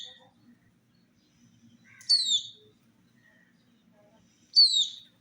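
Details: Chicks of a domestic hen drinking water, sharp downward-sliding peeps about two and a half seconds apart, with faint lower chirps and a quiet low rumble in between.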